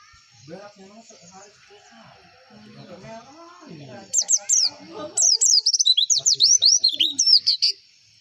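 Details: White-eye (pleci) song played as a lure for contest birds: after several seconds of low muffled background chatter, a fast burst of high, thin downward-sweeping twitters, densely repeated for about four seconds.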